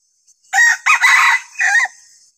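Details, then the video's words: Decoy rooster used to provoke wild junglefowl, giving one loud, hoarse, rasping crow in three broken segments, with the final segment trailing off, over a quiet background. "suara kokok ayam pikat sangat josz"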